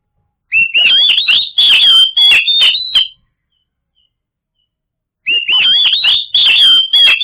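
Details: White-rumped shama song played to draw silent birds into singing: a rising whistled start leading into quick warbled and clicking phrases, then a pause of about two seconds before a second similar burst.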